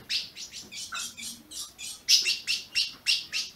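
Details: Captive ultramarine grosbeak from Brazil, played to warm up a caged bird, gives sharp, high chirps in quick succession, roughly three per second, the later ones louder and harsher.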